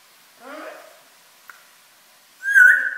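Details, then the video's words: Pet African grey parrot talking indoors: a short burst of speech-like, harmonic syllables, a brief pause with a faint click, then a loud, bright whistled note sliding slightly upward at the end. "Silly Talking Bird"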